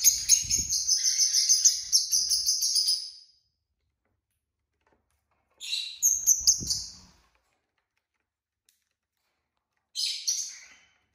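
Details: A group of six pet lovebirds chattering: a long burst of rapid, shrill, high twittering calls, then two shorter bouts of squeaky chatter separated by silence, with faint low thumps.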